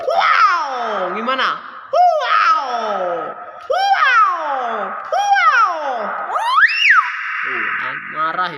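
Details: Speech-mimicking common hill myna repeating loud harsh nasal syllables roughly every one and a half seconds, each sweeping downward, ending with a rising whistle, over a steady tonal drone.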